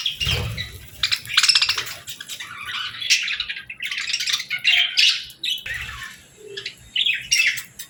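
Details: A group of budgerigars chirping at evening feeding time, producing a near-continuous chatter of raspy squawks, buzzy notes and twitters, with a low thump at the start.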